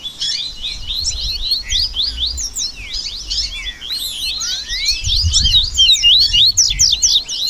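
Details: Rusty-collared seedeaters in a dense chorus of overlapping song, a 'baderna' meant to warm up a caged bird and build its singing and stamina; rapid, sharp, slurred high chirps and buzzy trills, with low rumbling noise beneath.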